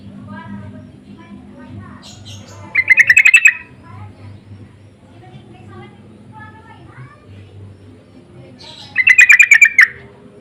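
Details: Insistent lure calls of sooty-headed bulbuls answering each other: two short rattling bursts of rapid chirps several seconds apart, with quieter twittering and a low background hum between them.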